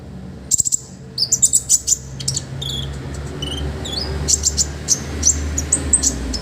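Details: Olive-backed sunbird, a master recording for training other birds: after a short pause, a string of high evenly spaced chirps, then scattered thin whistled notes, with a prominent low rumbling hum behind.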